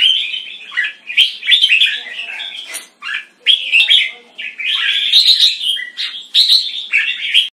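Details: Red-whiskered bulbul kept as a competition bird, displaying with open wings and slashed tail, delivering bright, rich whistled phrases in quick bursts separated by brief pauses, with some chattering notes.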